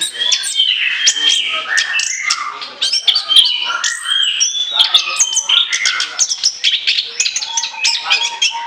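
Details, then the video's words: An orange-headed thrush in lively song, meant for use as a lure. Fast, varied twittering and whistled phrases pour out continuously, mixing sharp chips with sweeter sliding notes. "ANIS KEMBANG NGOCEH NGEPLOOONG, SIAP JADIKAN PIKATAN"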